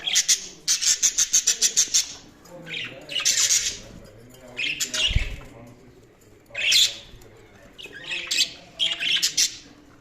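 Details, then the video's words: Budgies chirping loudly: a fast run of about ten short, evenly spaced clicking chirps, then bursts of harsh, bright squawks separated by quieter warbling chatter. "Budgies Sounds| Budgies Chirping sound"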